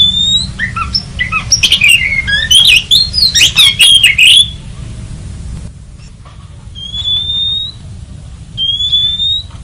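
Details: Oriental magpie-robin, played as a lure: a dense burst of varied whistles and harsh chattering notes for four seconds, then quieter drawn-out level whistles over a constant low hum.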